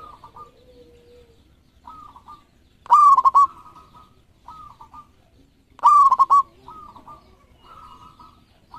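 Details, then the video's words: Local zebra doves, thirteen birds, in steady song: two loud staccato cooing phrases about three seconds apart, surrounded by quieter, shorter phrases from other doves in the group. "Perkutut Lokal Gacor Ekor 13"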